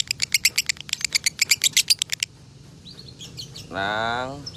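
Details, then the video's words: Lovebird from Salatiga, Indonesia, with a long 'konslet' song, kept as a tutor bird: about two seconds of quick, sharp, high chirps, then a man speaks briefly. "Masteran Lovebird Konslet ASLI Tembus Poin 8400"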